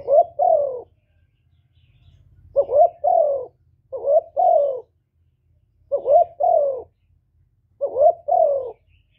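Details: Continuous cooing of a spotted dove used to lure other doves: five two-note phrases, a quick rising coo then a longer sliding-down coo, with a pause after the first, over a quiet low hum.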